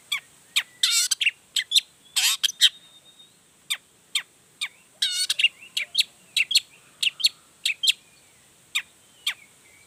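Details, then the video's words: Long-tailed shrike in lively full song meant to make other shrikes answer: quick sharp ticks and thin whistles mixed with a few longer grating rattles, delivered irregularly. "Toetan Cendet Gacor Full Emosi Bongkar Materi Bikin Cendet Lain Langsung Panas Nyaut Ikutan Bunyi"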